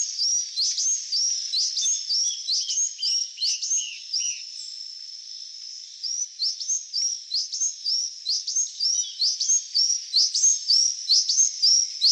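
A Buff-tailed sicklebill gives very high, thin squeaky chirps in quick, fairly steady runs, about one a second, with a drawn-out thin whistle in the middle.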